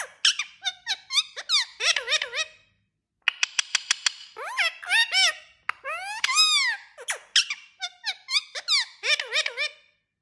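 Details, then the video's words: Talking parrot in a small room, producing bursts of quick, clipped speech-like syllables and rising-falling squeaky notes in phrases separated by short silences. "Talking Parrot"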